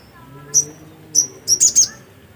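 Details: Black-capped white-eye singing vigorously: a few sharp, high, thin notes spaced apart, then a short cluster of three quick high chirps, with faint low background hum.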